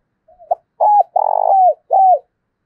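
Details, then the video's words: A spotted dove decoy, cooing in the 'thổ đồng' voice to provoke another male into fighting: a soft lead-in note, then three loud coos, the middle one long and burry, the last falling away. "cu gay kich boi nhanh noi gù"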